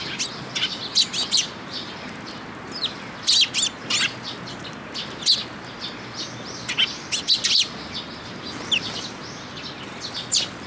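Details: A group of sparrows at a feeding post at Tenmangu shrine, 8 June 2022, calls in clusters of short, bright chirps every second or two, with brief bursts of quick repeated tweets between quieter gaps.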